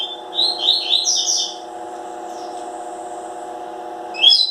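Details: Double-collared seedeater kept caged, delivering a quick warbled phrase of chirpy, sliding high notes in the first second and a half, then a long hum-filled pause and a short, sharp note at the end.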